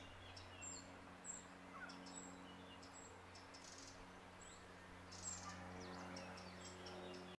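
A young Eurasian wren gives thin, very high chirps in scattered bursts, several a second at times, over a steady low mechanical hum.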